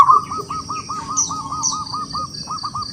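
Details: Wild local zebra dove singing to challenge rivals into song: a rapid, regular series of soft hooked coos, about five per second, after a brief louder note. Steady high whine and faint twitters behind.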